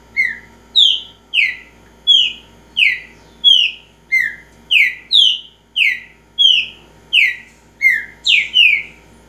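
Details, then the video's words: A Green-winged saltator, known locally as trinca-ferro, sings a repetitive song. About fifteen clear, downslurred whistles arrive at a steady pace over nine seconds, a few pitched lower than the rest. No other sounds intrude. "Trinca ferro repetidor"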